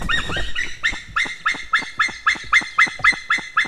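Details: White-tailed eagle at its nest in Estonia, reacting to a stranger eagle too close: a fast, steady run of about eleven loud, ringing yelps, each a short downslurred bark, after a rougher opening burst.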